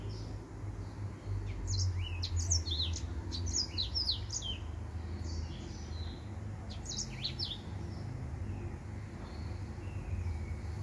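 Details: Male finch singing: bursts of high, quick, sharply sweeping chirps and short trills around 1.5 and 3.5 seconds, then again near 7 seconds, over a steady low hum.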